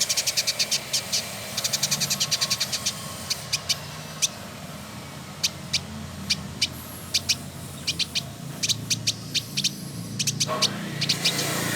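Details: Male village indigobird, kept as a tutor song bird in Bandung, West Java, Indonesia, singing actively: rapid bursts of sharp, high ticking notes in runs, then spaced single clicks, over a steady low hum.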